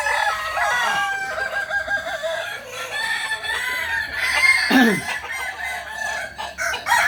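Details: At a Sunday practice contest in Ampangkualo, a Kukuak Balenggek rooster gives long, stepped, quavering crows with a falling arched syllable near the end, with crowd laughter, clapping and background music.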